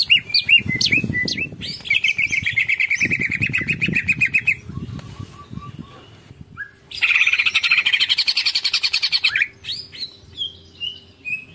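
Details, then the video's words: Greater green leafbird (cucak ijo) singing its long 'ngekek panjang' chatter: two bursts of rapid, buzzy pulsed notes repeated many times a second, with scattered sharp chirps between, over low thumping and rustling noises. "Cucak Ijo Ngekek Panjang Full Tengkek Pro Premium"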